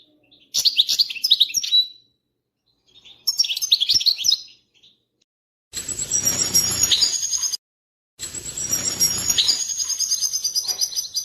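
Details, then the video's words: European goldfinch mating song said to bring a female into mating posture: two clean bursts of quick, high, chattering twitters, each about a second long, followed by longer hissy stretches with thin steady high tones. "بتبتة بعد سماعها تتخد الأنثى وضعية التزاوج+صوت التزاوج goldfinch chardonner hason"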